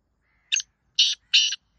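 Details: Black francolin call, a short scratchy opening note and then two broad grating buzzes, with a further note cut off at the end; otherwise quiet.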